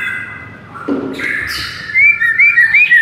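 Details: Masteran of the white-rumped shama for provoking a listless bird: a quiet, hissy opening, then loud, bright warbled whistles rising and falling in quick succession.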